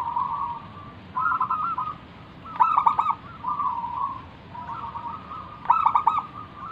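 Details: Actively cooing local zebra dove used to call in and trigger song from other doves: gentle rolling trills alternate with louder clipped, rapid note bursts, phrases separated by short gaps, against a quiet hiss.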